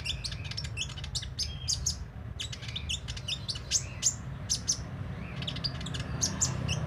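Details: Constantly singing sunbird with beak open, pouring out a busy twittering stream of high, sharp notes in uneven phrases, some brief pauses, over faint low noise.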